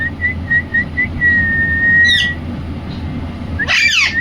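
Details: Rose-ringed parakeet (Indian ringneck, Psittacula krameri) gives a steady, slightly wavering whistle for about two seconds, then a quick rising chirp and a loud, harsh screech at the end.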